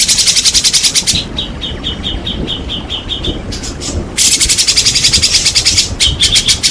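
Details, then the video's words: White-rumped shama singing to provoke other shamas into showing their repertoire: rapid high rattles, then a quieter series of evenly spaced mid-high piping notes, then another long, fast, loud rattle. "sangat ampuh untuk pancingan murai malas bunyi. langsung gacor dan emosi bongkar isian"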